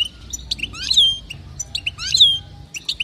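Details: Female European goldfinch calling so that males will sing, repeating a pattern about once a second: a few short chirps followed by a louder sliding, falling whistled note, with faint low noise behind.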